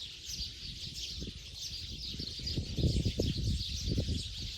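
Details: Flock of sparrows on the way to roost for the night in Bodoland, giving a busy unbroken mass of thin high chirps from many birds at once, with low rumbling noise underneath.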